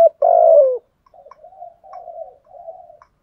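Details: ['Spotted dove decoy bird cooing to lure wild doves: one loud, mid-pitched, slightly falling coo, followed by a run of soft, low murmured coos. No other sounds are present.']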